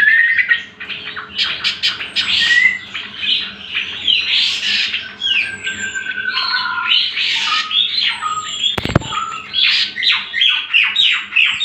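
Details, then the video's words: Lure and master song of a greater green leafbird: long, fast, harsh chattering phrases mixed with thin whistles and slurs, with one loud knock partway through. "Pancingan dan Masteran Cucak Kombo"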